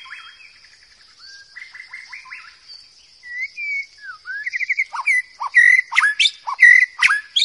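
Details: Forest white-rumped shama in loud, melodious song: soft rippling whistled phrases under a thin sustained high tone, building to clearer rising and falling whistles and sharp chirps toward the end.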